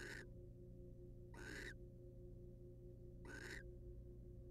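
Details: Wild barn owls in a research nest box, the male preening his mate's feathers. Three raspy, breathy screeches, each about a third of a second, come at uneven gaps over a constant low hum.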